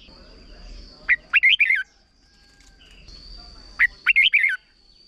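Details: Two short red-whiskered bulbul phrases, played for young birds to learn: each a quick run of four to five bright whistled notes, about three seconds apart, over a faint steady high tone.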